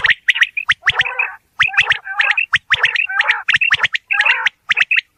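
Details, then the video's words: Quail recorded in a real village environment give fast, gargling chatter with sharp clicks and bright chirps, in quick bursts with brief gaps, almost without pause. "Batair ki Awaz | Quail Sound | बटेर लावा बटेर | صوت السلوى الصاعد | Bildirçin Yüksələn Səsi"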